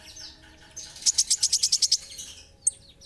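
Olive-backed sunbird gives a fast run of about nine thin, very high notes, evenly spaced, with a single sharp note after. Faint chirps sound in the background.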